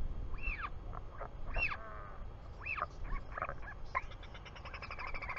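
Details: Royal albatross chick in New Zealand, 24 July 2020 around 4:06 pm, calling as its father returns to the nest; high arched whistled peeps, some with lower buzzy notes between them, over steady low wind rumble.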